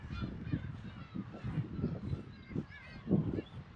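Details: Black-tailed gulls at a breeding colony of about 30,000 birds on Kabushima, Hachinohe, Aomori, Japan, on 10 June with chicks present. Mewing, wavering cries are heard amid low rumbling colony noise and wind.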